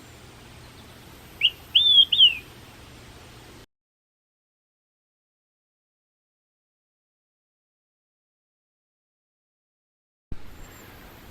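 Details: An Olive-sided Flycatcher, a species at risk in Canada's tall-grass prairie, whistles its loud three-note 'quick-three-beers': a short first note, then two slurred notes that rise and fall. A soft hiss comes before and after.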